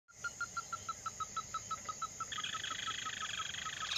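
A steady series of short, hard, mid-pitched notes, about six a second. A high, unbroken insect drone runs throughout and thickens in the second half.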